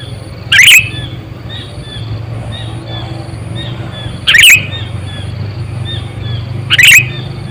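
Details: Sooty-headed bulbul, a lure bird about eight to nine years old used for trapping other bulbuls, giving three loud, bright, chirpy call bursts spaced about three seconds apart over a steady low hum.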